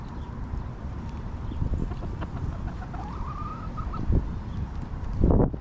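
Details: Backyard hens relaxing in their coop give a drawn-out, slightly rising tonal cluck over a steady low rumble, with a few short soft clucks and faint chirps of small birds.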